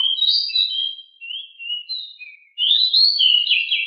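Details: Very agile, noisy decu (pied bushchat) in rolling song: continuous high warbling of varied slurred whistles, a brief pause, then a louder burst of rich, tumbling notes, with nothing else audible.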